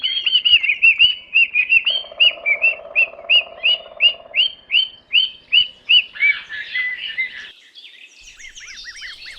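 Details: Parrot giving quick, high, chirping notes, about three per second, each a short upswept tweet; a low steady hum runs underneath for a few seconds, and the calls become busier and more warbled toward the end.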